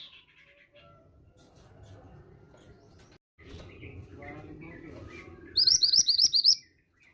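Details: Female grey bushchat kept for calling, used as a lure to prompt young males to answer and sing; after quiet low rumbling, a loud burst of about six quick, high, upward-flicking chirps comes near the end.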